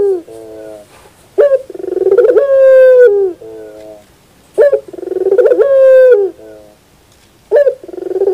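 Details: Barbary dove, called puter, singing the pelung style in the morning: lower rolling coos, a sharp short note, then a long drawn-out full coo easing down, the pattern repeating about every three seconds.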